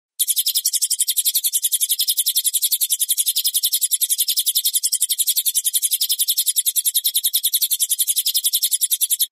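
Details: Ashy tailorbird in a clear training (masteran) recording: a high, dense stream of sharp chips repeated about three or four times a second, steady and unbroken throughout, with no other sounds.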